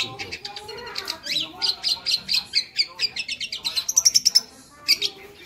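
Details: Long-tailed shrike delivering a rapid, varied masteran sequence: dense clicking chatter building into sharp high repeated notes, a quick burst of piercing chips near the end, little background noise.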